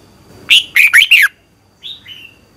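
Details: Red-whiskered bulbul in morning contest singing for bird training: one quick phrase of four ringing, slurred whistles, followed by a soft, short two-part whistle after a brief pause.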